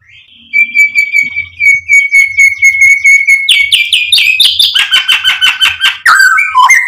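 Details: White-rumped shama (murai batu) in a song meant to excite and provoke: a long level whistle, then dense rapid buzzy trills and chatter shifting lower, ending in descending whistled notes.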